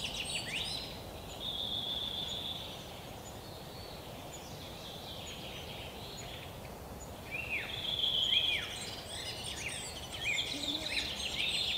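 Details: European pied flycatcher pair feeding nestlings in an old lesser spotted woodpecker hole, forest park in Yekaterinburg, 23–26 June 2018: high, thin chips and sharp downslurred notes, with two longer hissing, buzzy stretches, over a steady background hiss.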